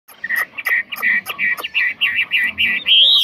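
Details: Chinese hwamei, a caged songbird offered for sale and praised as an excellent singer without faults, delivering a rapid series of repeated slurred whistled notes around a steady pitch, ending in a higher rising phrase.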